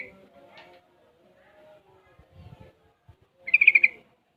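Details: Six-month-old sooty-headed bulbul learning ropel and garuda styles: soft low murmurs and clicks, then one loud rattling burst of about six quick pulsed notes near the end.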